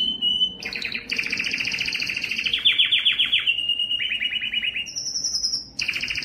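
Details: Loud Belgian canary song sung to attract females for breeding: a steady whistle, then rich rolling trills, a series of chopped falling notes, and a thin high whistled phrase before another trill.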